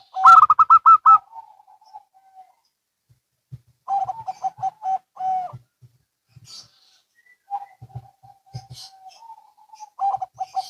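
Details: Zebra doves, local and Bangkok birds, calling back and forth: a short, fast burst of high coos trailing into a long low note, then two quieter runs of soft repeated coos with gaps between.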